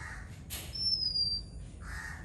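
An Oriental Magpie-Robin gives a single long, thin, high whistle that slides slightly downward, bracketed by brief rasping notes and a soft background hiss.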